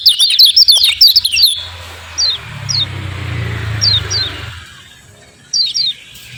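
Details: Javan white-eye song used as a lure to stir silent white-eyes into singing: a burst of rapid high twittering chirps, then separate short descending 'ciak' notes spaced about a second apart over a low rumbling background.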